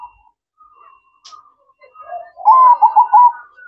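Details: Zebra dove (perkutut) at night, quiet faint coos building into a loud rolling, quickly pulsed coo phrase near the end.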